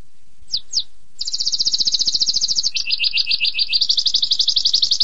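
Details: Singing canary: two short descending chips, then a continuous fast trill high up, dropping to a lower rolling phrase before rising again into rapid repeated notes.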